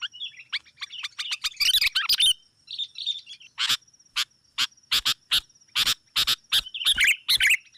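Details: Sooty-headed bulbul lure calls meant to summon rivals: soft warbled notes and a harsh burst of chatter, followed by spaced, loud single chips and a final warbling phrase, with a steady faint high hum.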